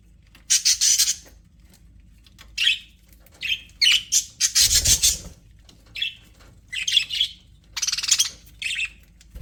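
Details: Happy budgies in an aviary chirping: harsh, buzzy high-pitched notes in quick irregular bursts, several close together around the middle, over a faint low hum.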